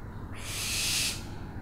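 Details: Owl giving a single harsh, hissing screech of about three quarters of a second, rising in loudness then cutting off, over a quiet background.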